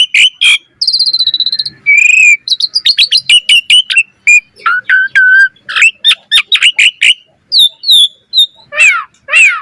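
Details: Asian pied starling in varied song for training other starlings: chirps, a fast buzzy rattle, whistled notes, a quick chattering series and downward-slurred calls toward the end.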